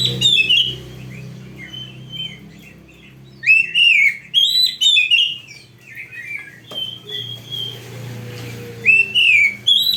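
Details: Oriental magpie-robin in full, varied training song: loud whistled and slurred phrases, some rising, some falling, given in bursts separated by short pauses, over a faint low hum.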